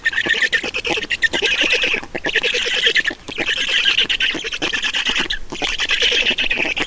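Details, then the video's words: Estonian black storks being fed at their nest, recorded 31.06.2019 at 11:11; bursts of hoarse, quacking chatter separated by short pauses around two, three and five seconds, each burst a fast stream of rasping notes. "Estonian Black Storks - Feeding"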